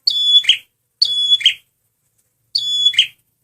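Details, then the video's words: Luring song of a male red prinia: three phrases, each a piercing high whistle followed by a rough buzzy trill, roughly one second apart. "SUARA BURUNG PRENJAK MERAH PEMIKAT GACORRR"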